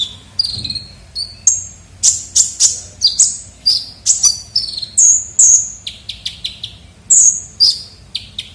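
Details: Ninja sunbird (kolibri ninja) lure sound used to attract birds: a lively string of thin, high, sharp chirps and short descending whistles, irregularly spaced, some notes sliding down, over a faint low hum.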